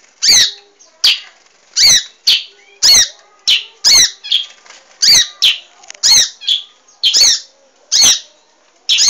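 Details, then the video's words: Munia, a cage-bird training recording of a vigorously singing bird: sharp, high squeaky chirps given about once a second in a steady, slightly uneven series, with a few softer notes between them and no other sounds. "masteran burung emprit GACOR"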